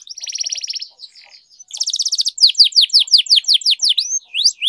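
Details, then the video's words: Domestic canary singing a long-roll training song: a rapid buzzy trill, a short quieter pause, a second dense trill, then a clear series of loud descending whistled sweeps repeated about every quarter second. "Canary Singing Training, Kenari Gacor Ngerol Panjang, Pancingan Kenari Macet, Masteran Kenari Paud"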